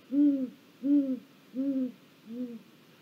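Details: Great gray owl at a snag on a Mission Valley live camera, 1 April 2022, giving four low, rounded hoots spaced about 0.7 seconds apart, the final hoot weaker; little else audible.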